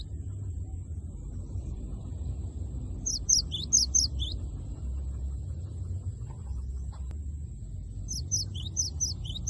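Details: Cinereous tit giving its loud 'wucit wucit' rival-provoking song: two short bursts of bright high repeated notes, several seconds apart, over a steady low rumbling background.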